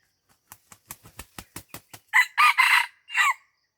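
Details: Red junglefowl of Aceh, lured near a house at Lamteuba. About nine dry, sharp pulses come in a steady run, roughly four a second. Then comes a loud, harsh crow in three bursts, the last one falling away.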